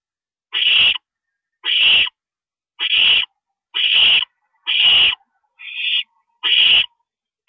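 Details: Owl nest at night, 2:40 AM on April 22 2012, with a parent stopping by: seven short, breathy, rasping hisses spaced about one second apart, in an otherwise silent recording.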